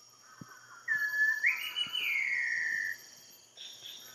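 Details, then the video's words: Large wren-babbler (Turdinus macrodactylus) in Malaysia gives one long, pure whistle that holds level, jumps higher, then slides slowly down over about two seconds, over a steady high insect drone. "Large Wren-Babbler"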